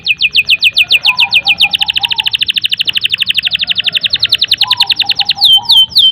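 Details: Canary singing a long 'gacor' song used to prompt young or stuck canaries into song: a quick series of sharp down-slurred chips running into a long, fast rattling trill, then clear swooping notes, with soft lower warbling.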